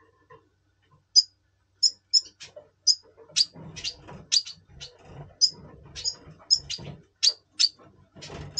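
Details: Red siskin of the double pastel form in breeding mood, recorded indoors in November 2023: a steady series of short, high, sharp chirps spaced irregularly, roughly three per second, with faint low background noise.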